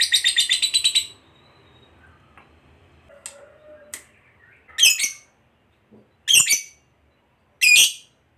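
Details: Lovebird, a fighter type kept by bird hobbyists, giving a burst of fast harsh chattering notes, then a quiet stretch with faint clicks, followed by three separate loud, shrill squawks about every one and a half seconds.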